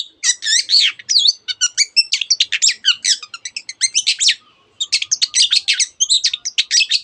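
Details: Dense, nonstop song of a long-tailed shrike imitating canary and many other species, with fast twittering and scratchy chattering notes packed tightly, one short gap near the middle.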